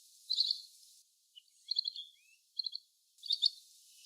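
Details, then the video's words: Little green bee-eater producing four brief, thin, high-pitched trills, rapid beaded notes in clusters roughly every second, with soft background hiss. "Call of Little green bee eater | Sound of little green bee-eater | Voice of green beeeater"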